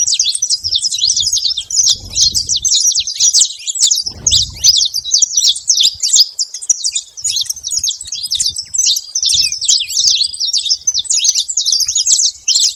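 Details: A noisy gathering of saffron finches at a baited feeder keeps up a long, crowded run of shrill chirps and quick falling notes, with two short low rumbles early on.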